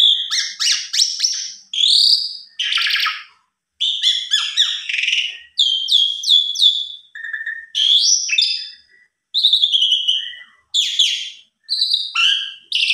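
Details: Agitated Asian pied starling answering a rival with an extended song of mixed whistles, sharp chirps and harsh buzzy notes, delivered in rapid phrases with brief gaps between them.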